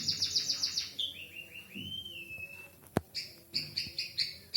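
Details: White-headed munia with canary-learned song: a quick high trill, then a long smooth whistled glide, a sharp click, and renewed bursts of high chirping notes.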